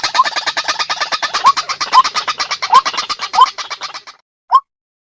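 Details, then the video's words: White-breasted waterhen call used as a lure: a fast, harsh repeated croaking series of about eight pulses a second, with a sharp upward-sliding note recurring, ending after a pause with one lone sliding note. "เสียงนกกวัก | เข้าเร็ว เข้าหมด"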